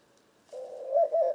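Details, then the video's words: Opening of a white-winged dove's coo: one low, drawn-out hooting note that grows louder into two pulses before breaking off. "White-winged Dove Cooing Bird Sound"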